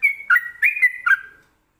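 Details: Trucukan, the yellow-vented bulbul, singing in the admired 'ropelan' style: a quick chain of bubbly, liquid whistled notes, rising and falling, run together over about one and a half seconds, then silence.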